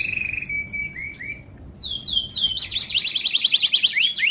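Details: Timbrado canary in training song: a steady rolling trill with short high notes, a brief pause, then swooping whistles leading into a harsh, rapid, high buzzing rattle.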